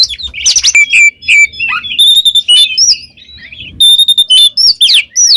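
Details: Gacor ngeplong song of an oriental magpie-robin: sharp upward-swept notes, level high whistles and scratchy phrases, with a short quieter gap in the middle.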